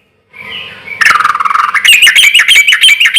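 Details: Loud sooty-headed bulbul song, played to draw replies from other bulbuls: a harsh rising burst gives way to a rapid, even string of ringing chirps repeated several times a second.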